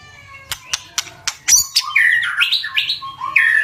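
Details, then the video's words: Vigorous 'tạch' song of a white-rumped shama used to provoke fighting: a series of evenly spaced sharp clicks leading into a fast varied warble of slurred whistles. "Chòe lửa tạch cực mạnh để kích chim đấu"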